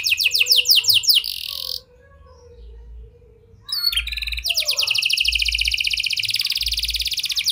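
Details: Singing canary, a lure track for canaries that have stopped singing, in a style with prinia and lovebird phrases: rapid rolling trill, a pause of nearly two seconds, then sharp upward notes and another dense, fast trill.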